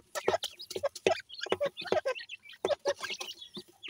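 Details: Dakhni teetar partridge chicks playing, with a series of short, mid-pitched clucking notes in brief clusters about every half second, separated by sharp clicks and quiet gaps.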